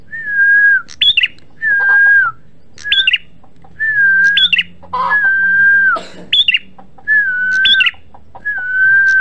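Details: Prenjak merah, the red-headed prinia, singing vigorously in a lure recording: repeated phrases of a sustained whistle dropping slightly, then quick high upslurred notes, roughly six phrases in nine seconds, with a faint low hum.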